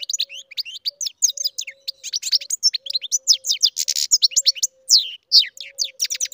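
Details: Captive-bred goldfinch in full song, a rapid run of tinkling chips and liquid twitters with a short buzzy rasp midway, delivered almost without pause over a faint steady hum.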